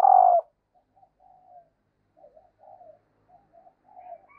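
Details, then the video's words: A female dove calls to arouse males. One loud, short falling coo opens, followed by a run of quiet, low, wavering coo notes spaced unevenly across the rest. "Tiếng chim Cu Mái Kích Trống"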